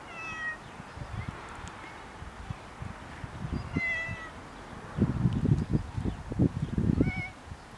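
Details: Common mynas (Acridotheres tristis) in groundsel in Kiryat-Yam, Israel, utter irregular short harmonic whistles and slurred notes spread over several seconds, mixed with bursts of low thudding noise.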